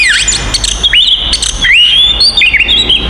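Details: Oriental magpie-robin fighting song used to provoke other magpie-robins, with sharp upslurred whistles and drawn-out, wavering high notes over faint low hum.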